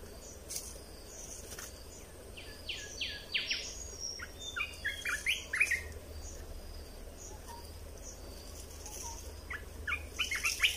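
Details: Red-whiskered bulbul song used for training chicks: irregular runs of short chirpy whistles, loudest in the middle, with clicks and a steady low background hum.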